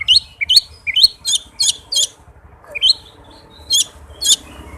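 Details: White-rumped shama singing fast, close-packed phrases meant to provoke a reluctant shama into song: repeated short rising whistles with buzzy overtones, about one each half second, a brief lull, then more, over a low hum.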